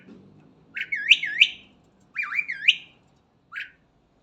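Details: Starling in the morning giving paired swooping whistled notes, two short phrases, then a single brief rasp, over soft low background noise.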